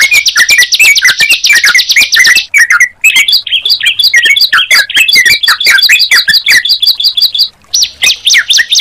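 Two small songbirds sing together in a busy, high duet: fast rattling trills and sharp repeated chirps, rapid bursts with brief pauses between.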